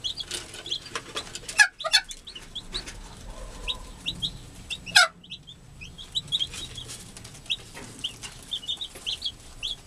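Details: A caring American hen's newborn chicks peep in high, thin notes at irregular intervals, with two sharp clicks or knocks and a faint low hum in the background.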